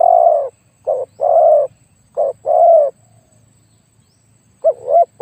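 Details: Decoy spotted dove, noted for a very big voice, luring wild birds: sustained low coos alternating with short notes, then a pause and a wavering phrase.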